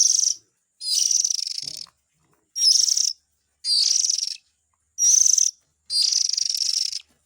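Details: Oriental magpie-robin chick calls used as a lure for parent birds: harsh, raspy, hissing bursts about half a second to a second long, repeated six times with short gaps.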